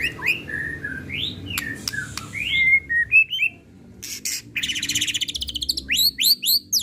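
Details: White-rumped shama, Pastol type, giving a stirring lure song: clear sliding whistles and clicks, then a fast buzzy rattle and bright rising notes repeated in quick succession.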